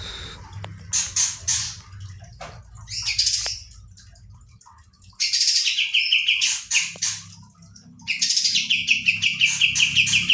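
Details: Pied Triller (kapas tembak), a kept songbird, delivering scattered scratchy bursts with pauses, then rapid rolling runs of crisp repeated notes near the end; quiet low hum throughout.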